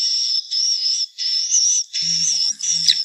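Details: Swiftlet lure sound for beginners in nest farming: a steady, piercing, high wavering twitter in long phrases separated by brief pauses, with a faint low hum midway.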